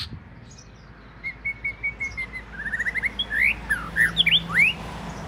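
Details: Oriental magpie-robin (binla), a household's first bird, of southern Thai type, delivers a series of clear whistled notes, first level and evenly spaced, then quicker rising slurs and loud up-and-down sweeping whistles.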